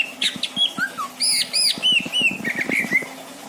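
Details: Loud isian song from a caged greater green leafbird at a home in Indramayu, Indonesia: varied arching whistles, paired ringing notes, and a final rippling series of short warbled phrases, with faint clicks underneath.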